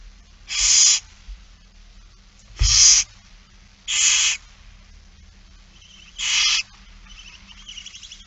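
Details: Feeding barn owls, 8 September 2019, 16:02. Four loud, hoarse hisses, each about a third of a second, repeat every one to two seconds. A soft knock sounds under the second hiss, and fainter hissing trails at the end.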